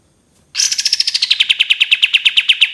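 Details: Cream-vented bulbul in a long 'tembakan' trill for tutoring: the trill bursts in shrill and high, then drops slightly into a brisk, even rattle of repeated notes.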